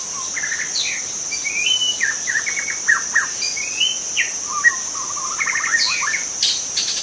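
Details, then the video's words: Forest-dwelling young shama singing a busy run of mixed phrases, with sliding whistles, sharp downslurred notes and fast stuttering trills, nearly continuous for seven seconds, while a constant shrill insect hum persists underneath. "Kicau murai muda hutan"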